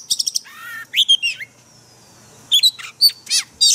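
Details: Oriental magpie-robin training song in a 'forest voice' style for caged birds: a quick stutter of clicks, a descending whistle, a pause, then loud bright chips and short clear whistled notes.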